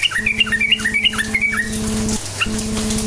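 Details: Sooty-headed bulbul giving lively 'cukcuk nguplik' song, used as a lure to make quiet bulbuls answer; fast run of short, bubbling, warbled notes with sharp pitch bends, over a steady low mechanical hum that cuts out briefly.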